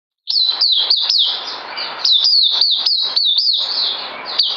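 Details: White-eye song recorded on 9 December 2018 from a bird due for deworming: fast run of high, thin notes, each swooping up then sliding down, packed several per second with a brief break near two seconds.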